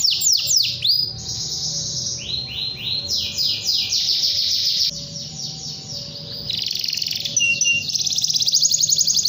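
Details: Canary in long, continuous song calling a rival: a varied, high run of rapid descending whistled sweeps, buzzy rolls and quick trills, changing phrase every second or two without pause.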